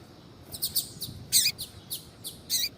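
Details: Female double-collared seedeater calling so a male will start singing, tui tui style; short bright high chirps roughly every quarter second, some sliding downward, with a couple of louder buzzy notes.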